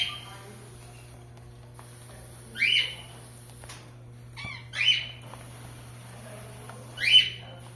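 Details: Rose-ringed parakeet, opaline clear mutation, kept captive in Ceará, Brazil, calling three times with rasping screeches about two seconds apart over a low room hum.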